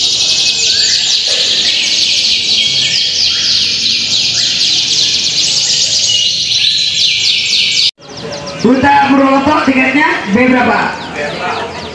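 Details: Canaries at a singing contest held in the Linggarjati auditorium, Kuningan, on 11 June 2023. Many birds keep up a dense, shrill chorus of fast trills for about eight seconds. After an abrupt cut, lower, more varied warbling phrases follow.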